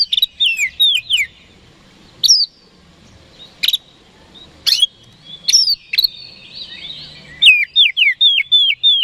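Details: Oriental magpie-robin in full, lively song used to make rival birds respond quickly: bursts of slurred whistles open and close the phrase, with scattered sharp high chips, a buzzy note and brief gaps between them.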